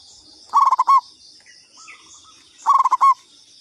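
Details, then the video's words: Local perkutut, or zebra dove, calling as a lure: two identical phrases about two seconds apart, each a rattled string of quick coos closing on a fuller held note, against a thin high insect hum. "Pancingan Perkutut lokal katuranggan"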